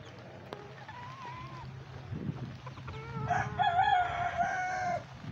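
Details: Old English Game bantams of lavender, mille fleur and silver duckwing colours foraging for worms in Tropical Storm Beta rain: a faint drawn-out note, then a longer wavering, nasal, crow-like call over steady rain noise.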